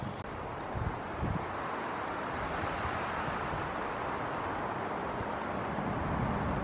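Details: Steady wind rumble and broadband outdoor noise, with traffic-like roar and rustling throughout; no animal voice.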